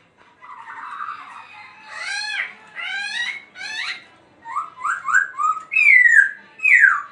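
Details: Laughingthrush dancing and singing: soft warbles, three loud harmonic-rich downward-arching whistles, then a string of short rising notes and two bright falling whistles.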